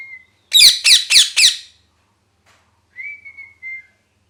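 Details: Four rapid harsh squawks in quick succession from a pet parrot that is molting, then a short pause and a clear, slightly falling whistle.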